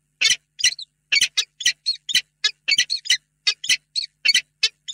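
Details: Peregrine falcons, a pair in a nest box at Reda, Poland, late afternoon on 28 February 2022, during a long affectionate meeting. Hoarse, grating notes come in quick pairs and singles, roughly twenty in a steady chattering series.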